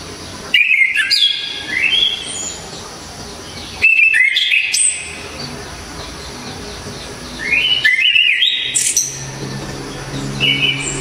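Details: Orange-headed thrush with a loud, dense, sharp song: three bursts of rising whistled and warbled phrases roughly every three to four seconds, with soft twittering between them.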